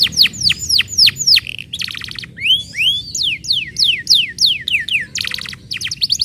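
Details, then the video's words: Canary song played to get silent canaries to sing: rapid series of sharp downward-sweeping whistled notes alternating with fast buzzy rolling trills, loud and bright over faint low background rumble. "PANCINGAN BURUNG KENARI AMPUH UNTUK KENARI BEGU"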